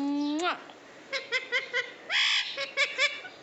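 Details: Pet parrot talking in Bengali, asking to be fed; a long wavering whistled tone falls away, followed by a row of short clipped syllables and a harsh squawk-like burst, then more quick syllables.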